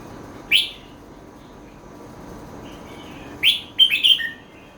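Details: Red-whiskered bulbul song in the 'met kuay jee hok' style. A single sharp rising whistle comes first. After a pause of about three seconds, a fuller phrase follows: a rising note and then a rapid run of ringing, descending notes.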